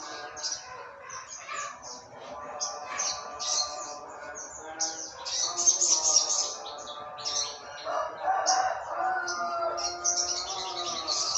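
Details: In 'trotol ngalas' style, a Jogja olive-backed sunbird kept as a tutor bird sings in the morning: a long series of quick, high chirps and trills, interspersed with lower whistled phrases from other birds.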